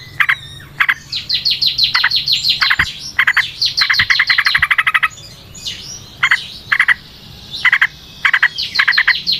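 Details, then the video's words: Lively natural-setting recording of yellow-vented bulbul, used as a lure to make other bulbuls sing: dense bubbly chatter of rapid clipped notes in long runs, breaking into short grouped bursts with brief gaps. "Trucukan GACOR ngalas ROPEL PANJANG suara alam"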